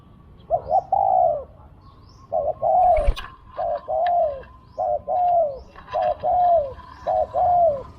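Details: Decoy spotted dove calling during a bird-catching session: low, mellow coos in quick succession, six phrases of a clipped double note followed by a drawn-out falling croon, with a brief click and light chirping behind.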